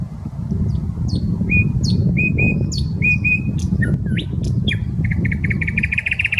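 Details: Common nightingale singing in the Smolenka park, Saint Petersburg: short whistles and sharp clicks building into a rapid, evenly repeated throbbing phrase at the end, over continuous low traffic noise.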